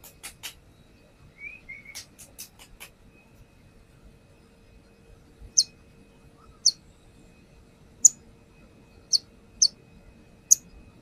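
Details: Brown-throated sunbird lure sounds: a few clicks and short buzzy notes at first, then six sharp, very high chirps about one per second over a quiet background.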